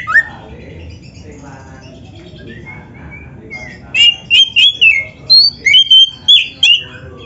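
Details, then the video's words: Oriental magpie-robin in busy song with fill phrases, recorded as a master for training birds: a soft, quiet opening with faint notes, then a quick string of bright, clipped whistles and chirps in the last three seconds. "MASTERAN KACER GACOR FULL ISIAN !! - Suara Burung Kacer yang cocok untuk Latihan"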